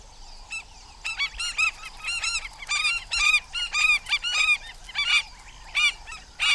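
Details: African skimmers calling in alarm while protecting their first chicks of the season, only days old, from a monitor lizard: dense bursts of sharp, harsh, yelping notes in rapid clusters, several birds overlapping, about one and a half calls per second.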